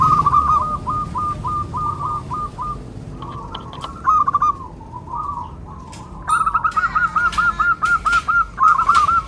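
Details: Local zebra dove with a soft, melodious voice, played as a lure to make local doves answer: a long string of rapid rolling cooing notes, then a short burst and another fast rolling series, with faint clicks around.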